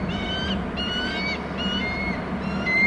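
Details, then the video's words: Young bald eagle calling at its Hornby Island nest as the father delivers food: a run of short, high whistled phrases, each gliding slightly upward, close together, with low background noise. "em is calling; dad in with food"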